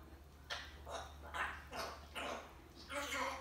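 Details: A pet African grey parrot imitating the household dog gives about six harsh, dog-like barks in quick, uneven succession over a low steady hum. It also says the dog's name, Lulu.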